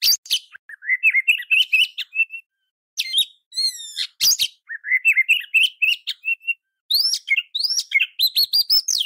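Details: Magpie-robin master song for training other birds: long rapid strings of twittering whistled notes, a short pause with a rippling trilled phrase, then more fast rising and falling whistles.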